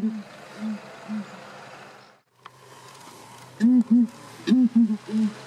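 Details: Southern ground hornbills in Kruger National Park call and answer each other with deep, hollow booming notes in short groups. A softer series is answered by a louder, quicker one over a steady background hiss.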